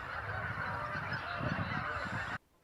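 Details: Thousands of Cackling, Canada and Greater White-fronted Geese on ice at a marsh in flooded fields of Columbia County, Wisconsin, during spring migration make a dense, unbroken din of honking, then cut off abruptly to near silence.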